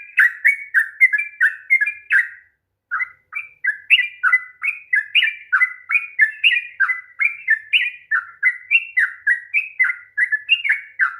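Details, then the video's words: Long, fast 'ropel' song of a sooty-headed bulbul, meant to spur a lazy bird into song: bubbling slurred whistles delivered almost nonstop, about three per second, after one brief pause. "kicauan TRUCUK ROPEL PANJANG// perangsang bunyi trucukan malas bunyi"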